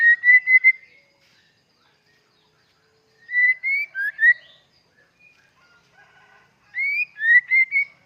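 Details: Actively singing dokor white-rumped shama: three separate bursts of rich whistled notes, each a quick run of upslurred and warbled tones, with quiet pauses of about two seconds between them.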